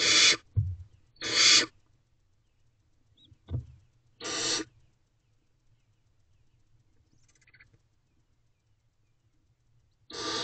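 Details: Night-time nest box holding several barn owl owlets: harsh rasping hisses, each about half a second long, come in irregular bursts separated by silences of a few seconds, with low bumps between them.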